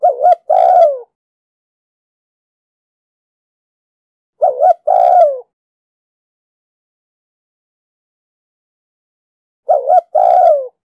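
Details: Spotted dove from Ninh Thuận, Vietnam, cooing to stimulate other doves to coo: a short soft note then a longer, mellow, slightly descending coo, the phrase repeated about every five seconds with silence between, three times heard.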